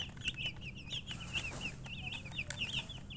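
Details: Baby chickens peeping, bright high chirps that dip and rise, several each second and overlapping, with occasional soft knocks and a low hum.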